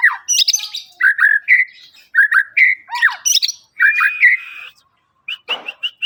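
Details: Varied song of a white-rumped shama: clear whistled phrases mixed with buzzy chips and a long level whistle, ending with a brief rustle and a few sharp notes.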